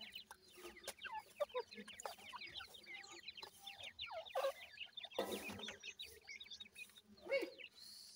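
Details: Many feeding grey francolin chicks about a week old chirp in quick, high, falling peeps, with a brief rushing noise burst past the midpoint and scattered clicks.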